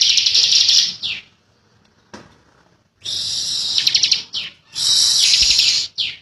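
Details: Young bar-winged prinia giving bursts of shrill buzzy rattling song with falling slurred notes, broken by a quiet gap and a soft click.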